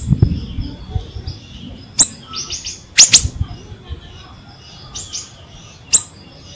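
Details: Ashy drongo singing vigorously, used as a lure for drongos that have stopped singing. Sharp clicking notes and short rapid trills of high chirps. A low thump is heard at the start.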